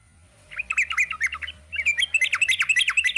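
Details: Sooty-headed bulbul delivering a long, quick warbled song, two dense bursts of tumbling, rising and falling chirps with a brief gap between them.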